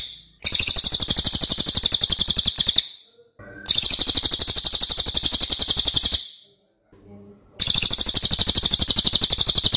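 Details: A lesser racket-tailed drongo's long, loud song, used to train other birds: three extended bursts of shrill, rapidly pulsed buzzy trilling, each about two to three seconds, with quiet breaks and faint notes between.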